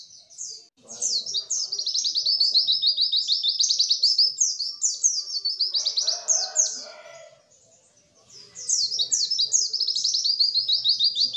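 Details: A white-eye's high, rapid twittering song, meant to sound like a bird in the wild and used to stimulate caged white-eyes to sing, pours out in fast descending chirps with a brief pause and faint lower rustling near the end.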